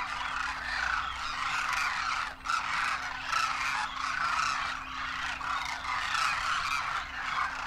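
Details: Demoiselle Cranes, wild winter visitors to Rajasthan, India, calling en masse in flight, young birds among adults; a thick chorus of rolling trumpet notes with a brief dip in loudness about a third of the way through.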